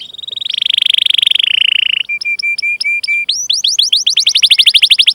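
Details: Canary song used as a training lure for young, untrained or silent canaries: a long buzzy trill near one pitch, then a row of short flat notes, then fast rising-and-falling repeated chirps.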